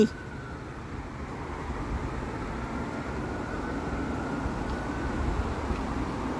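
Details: A steady, low vehicle rumble with road or engine noise fills the recording, and no animal calls can be picked out.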